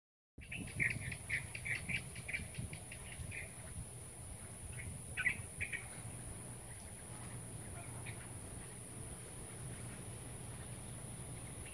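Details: Birds singing amid trees around the Great Lawn at Anvaya Cove: a quick series of short bright chirps in the first seconds, then scattered single chips, over a constant high-pitched steady hum and low rumbling background.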